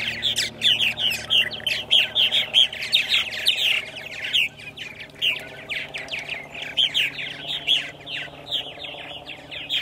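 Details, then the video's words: Purple martins at Center Moriches, Long Island, New York, on a spring morning, April 14, 2012: loud, rapid, bubbling chirps and gurgled warbles from several birds in a steady stream, over a faint low hum. "Purple Martins on April 14, 2012 in Center Moriches, Long Island"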